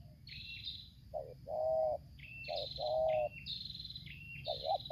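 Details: Spotted dove (tekukur), Lampung, decoy against a wild bird, singing the tarik akar selang nguku style. Soft rolling coos in pairs sit beneath a busy string of high, falling whistled notes from another bird.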